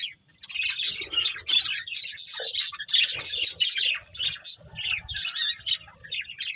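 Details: Colourful budgies, a breeding pair in a family group, chattering in rapid high scratchy bursts, broken by short pauses, with a few lower squawky notes mixed in.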